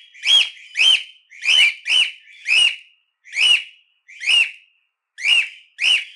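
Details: Cockatiels calling a lot, meant for training and livening up pet cockatiels: a rapid series of rising-falling whistled notes, some paired, others spaced by pauses, in a quiet setting.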